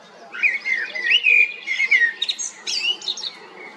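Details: Common blackbird delivering one rich, mellow fluted phrase of sliding whistles that breaks into a burst of thin, high chattering twitters near the end.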